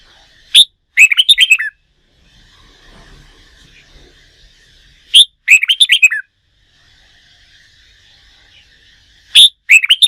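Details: Red-whiskered bulbul kept for song-contest training repeats its phrase three times about every four seconds: a sharp upslurred note, then a brisk chain of clear, bubbling whistles sliding downward; low hum between phrases.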